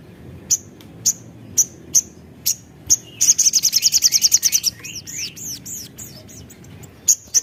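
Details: Javan tesia song meant to lure and stimulate other birds: spaced sharp high notes every half second build into a rapid piercing trill, then looping whistled notes, then one more sharp note.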